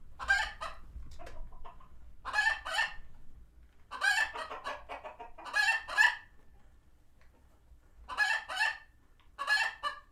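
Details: Chickens in a sanctuary flock, alarmed by a nearby hawk, let out sharp, raspy squawks in separate bursts about every one to two seconds, with short quiet gaps between outbursts.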